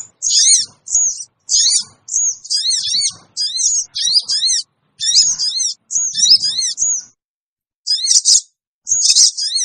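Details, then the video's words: Sooty-headed bulbul lure calls, played to bring wild birds together: repeated bursts of thin, sharp chevron chirps roughly every half second, then a pause and two final bursts. "suara pikat burung kecil sogon bikin sogon liar cepat ngumpul"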